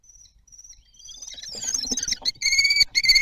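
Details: Common kestrels at a nest filmed by webcam at Théding on 9 June 2022; faint thin high notes at first, then a rising run of loud, harmonic, strained calls repeated in quick bursts over rustling.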